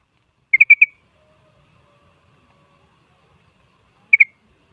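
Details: Sooty-headed bulbul song used as a lure to make other bulbuls sing back: a quick burst of three clipped whistled notes, a long silence, then two similar notes.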